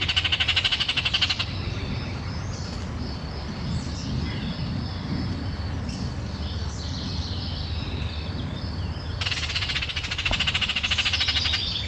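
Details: Baltimore Oriole giving dry, rapid chattering bursts at the start and end, with faint whistled notes between, over a low room hum; a bobwhite calls in the background, a recording made outside Santa Barbara County.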